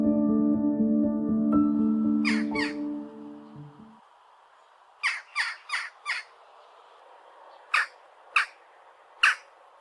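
Western Jackdaw giving short, sharp, metallic 'tchak' calls: a quick pair, then a run of four, then three spaced notes. Music plays at the start, then fades.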